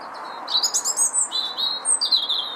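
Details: Garden Nyjer feeder at Howdon, 3 May 2016, visited by a feeding lesser redpoll: a fast, continuous twittering of high, thin, slightly buzzy notes, some sliding downward, in quick pulses of about five per second over faint background hum.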